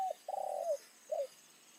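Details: Caged decoy spotted dove calling in the evening to lure wild doves. It gives a short low cooing phrase: a brief note, a longer steady coo, then a downslurred ending and one final short coo.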